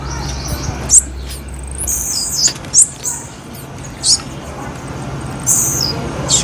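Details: Sharp, very high chips from a female blue-black grassquit, each brief and spaced irregularly about one to two seconds apart, with a faint background hum.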